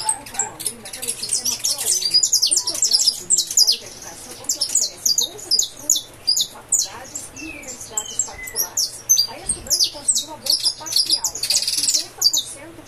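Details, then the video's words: Saffron finch (canário da terra) kept by a breeder, singing fibra-style song: dense runs of sharp high chips and short trills in pulsing bursts, with scattered clicks and a low hum. "canário da terra cantando"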